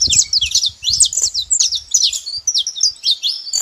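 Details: A group of saffron finches making noise, rapid high twittering chirps tumbling over each other in a short burst, some thumping low sounds beneath.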